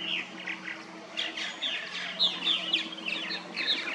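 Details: Backyard colony of purple martins nesting in gourd houses in St. Catharines, Ontario: rapid, irregular bursts of gurgling, warbled chirps from several birds, swelling and fading, with a low steady hum in the background.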